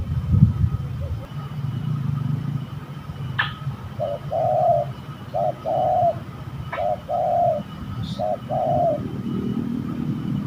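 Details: Spotted dove calling while fighting, Indonesia, during bird trapping; a series of evenly spaced hollow coos, each a short note then a longer one, with a few sharp clicks and low rumble behind.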